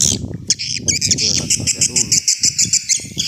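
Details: Lure recording of swiftlets in an old style: a rapid, evenly pulsed high clicking trill of about three notes a second, backed by low rumbling noise.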